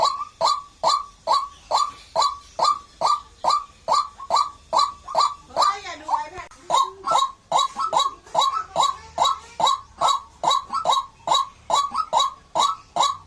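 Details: A White-breasted waterhen repeats clipped, honking notes roughly twice per second for the whole stretch, and brief human speech cuts in around the middle.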